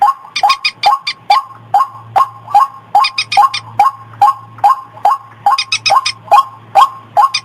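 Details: White-breasted waterhen lure call for luring birds in fields, gardens and rivers: harsh, even croaking notes repeated over twice a second, with occasional quick bursts of high, crisp clicking notes and a faint low hum.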